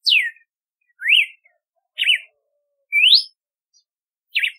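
Red-cowled cardinal singing clear, varied whistled phrases: a falling slur, a rising-falling note, a buzzy warble and a rising sweep, about one per second.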